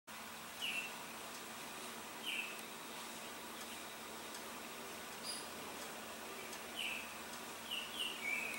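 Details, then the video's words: Male Baltimore oriole singing in Niagara: short, clear whistled notes at irregular gaps, about seven phrases over nine seconds, some in quick pairs near the end, over a steady background hiss. "Baltimore Oriole Song"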